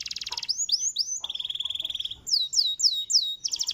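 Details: Canary song played to prompt other canaries to answer: a fast buzzy trill, then sweeping slurred whistles, a steady rattling trill, descending whistled notes, and a closing rapid trill, all high-pitched.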